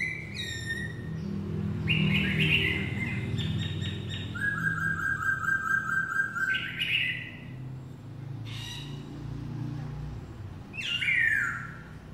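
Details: Black-throated laughingthrush singing: loud, clear whistled phrases, some slurred and rising, others rapid stuttering note runs, with short pauses between bursts over a steady low background hum.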